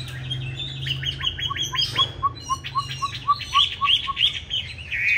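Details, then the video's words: Green-bean-eye hwamei in a fighting song used to train other hwamei toward a mild, unharsh style. Brisk runs of short repeated notes, two pitches alternating about four times a second, ending in a brighter trilled flourish. "Họa Mi Mắt Lục Đậu Thanh Hót Đấu ( Dùng luyện Mi hót bài êm không gắt )"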